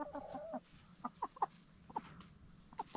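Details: Black Star and Bielefelder hens, free-ranging by day, getting settled at night inside a movable chicken tractor. A drawn-out nasal call opens, then sharp single clucks come every half second or so.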